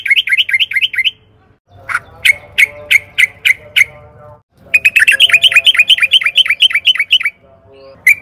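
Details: Caged-bird lure of yellow-vented bulbul song: fast rolling trill, then a series of spaced sharp notes, then another long rapid run of bubbly repeated notes, with low background hum.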